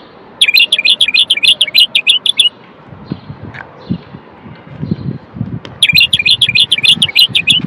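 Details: Common bulbul, a Moroccan male, singing to stimulate males and prepare females for mating: two bursts of rapid, evenly repeated high whistled notes separated by a few seconds of low background noise.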